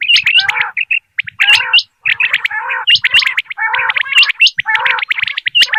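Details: Common quail calling, a recording from Dera Ghazi Khan used for quail hunting. Dense bursts of sharp, clipped high notes over gurgling lower phrases, overlapping as if several birds call at once, with short silent breaks.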